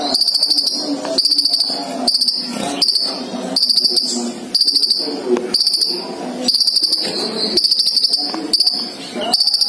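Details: Caged sunbird, male and female kept together, singing energetically: very high, fast buzzy trills in bursts of about one second, separated by short pauses, over steady background music.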